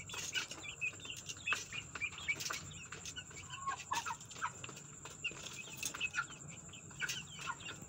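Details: Several newly added young chicken chicks fighting: a busy stream of short, high, arched peeps overlapping one another, with frequent sharp taps and clicks and a steady thin high whine throughout.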